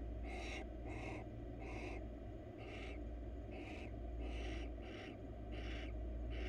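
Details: Wild female barn owl in a monitored nest box, crawling while seeking attention, gives harsh hissing screeches about every 0.6 seconds, each a broad rasping burst, over a steady low hum.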